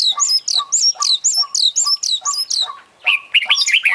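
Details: Oriental magpie-robin, an international champion, in full filler song: high looping whistled notes repeated quickly, about four per second, then a short pause and a burst of varied, lower twisting phrases.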